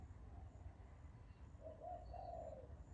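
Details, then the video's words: Bird giving one soft, low, hollow cooing phrase of a few notes in the second half, faint against steady low background rumble. "Bird Chirping Sound"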